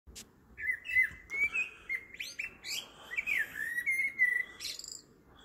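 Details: Blackbird singing in the evening at 7.30 pm, a flowing run of mellow fluted whistles, rising and falling, broken by sharp high twittering squeaks, over a soft background hiss.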